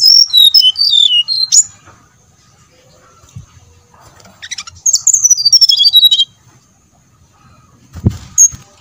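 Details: Lure recording of a brown-chested jungle flycatcher to make other birds sing: a cascade of crisp falling whistles, a pause with faint notes, then a second descending whistled phrase and a final thump.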